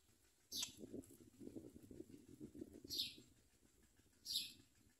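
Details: Common myna babies begging while adult birds arrive with locusts to feed them: three harsh, hissy high bursts about every one and a half to two seconds, with low murmuring rustles throughout.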